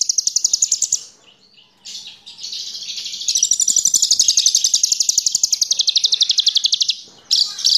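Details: Horsfield's bush lark, about 15 to 20 cm long, used as a lure to make other birds sing; high, rapid buzzy trills of evenly pulsed notes, broken by short pauses.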